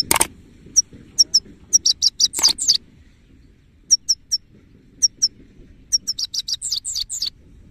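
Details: Male goldfinch (saira) delivering bursts of crisp, high chirps and twitters in clusters separated by short pauses, a louder broadband click near the start and another mid-phrase, quiet background otherwise.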